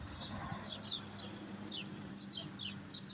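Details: European goldfinch giving bright, high twittering chirps in small spaced clusters, steady over three seconds, above a low steady hum.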